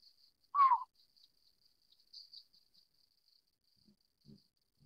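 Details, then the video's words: Collared scops owl (Otus lettia glabripes, endemic to Taiwan) uttering one clear, hollow, falling hoot, with thin continuous insect chirps behind and a couple of faint low thuds near the end. "領角鴞/Collared Scops Owl"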